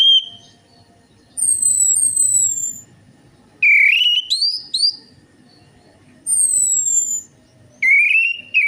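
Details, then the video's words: Orange-headed thrush lure recording used to coax a reluctant bird into song. Long, high, pure whistles slide slowly downward and alternate with rising, buzzy warbled phrases, about four phrases in under nine seconds. "DENGAN PANCINGAN ANIS MERAH AMPUH INI, ATASI SUSAH BUNYI ANIS MERAH"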